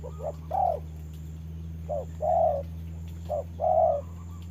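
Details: Spotted dove kept as a trapping decoy, fighting a wild bird while it rains; three slow phrases of a short coo followed by a louder drawn coo, steady low mechanical hum behind.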